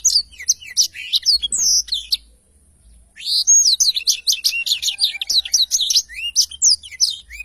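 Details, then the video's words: Black-throated canary (blackthroat) singing a long rolling song, used as a training recording: fast, high, twittering rolling trills and sweet chirps, pausing briefly midway, then resuming in a long rolling run. "Tarikan Suara Blackthroat Super Gacor Ngerol Panjang"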